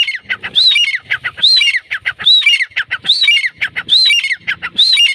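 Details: Grey francolin calling loudly: harsh, ringing phrases repeated about once a second, each a quick run of strained notes that climbs to a high, clear whistled peak, with faint low rattling in the gaps between phrases.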